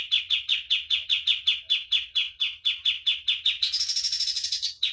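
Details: Master song of a common iora for bird training: evenly spaced, punchy downward notes about three a second, then a sudden dense, buzzy high trill near the end before a final note.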